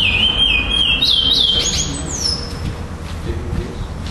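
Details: Chestnut-bellied seed finch, black male, singing in a Florianópolis, Brazil tournament on 11 December 2011 where it placed second. A short burst of sliding whistles fades out after about two seconds, leaving quiet room noise.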